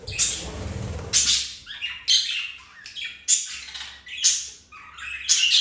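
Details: Captive budgerigars mating, flirting and playing; opens with a noisy rustle, then sharp high squawky chirps repeated about once a second, each a short scratchy burst falling slightly in pitch.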